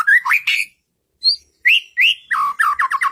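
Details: White-rumped shama song used as a lure to stimulate other shamas to answer quickly: loud, clear whistled phrases with rising slurred notes, short pauses, then a fast run of bright, downward-sweeping notes repeated in quick succession.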